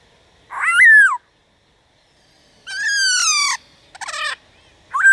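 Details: Black-throated laughingthrush calling in 'déo bổi' style to stimulate other birds' song: a falling whistled note, a long pause, a buzzy harmonic nasal phrase, a short rough burst, then a rising whistle.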